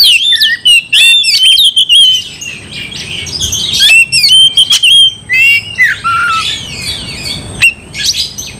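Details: Oriental magpie-robin, a lively singer meant to provoke another into fighting; loud varied song of whistled phrases and harsh squawks in quick bursts, around two per second, with sharp clicks between.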